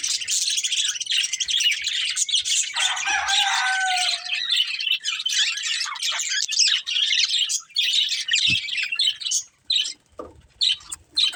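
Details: A breeding pair of colourful budgies chatters in a steady, dense high warble, with one lower whistled note rising near the start and scattered clicks toward the end.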